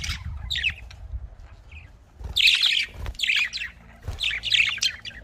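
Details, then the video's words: Caged budgerigars, known locally as Australian parrots, give scratchy chattering chirps in clustered bursts after a quieter start, over a faint low hum. "Australian parrot voice|Australian parrot ki awaz"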